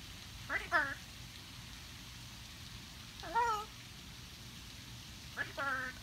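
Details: Pet blue-and-gold macaw chatting early on a Saturday morning: three short nasal, speech-like utterances with falling tone, spaced a few seconds apart, over quiet room hiss.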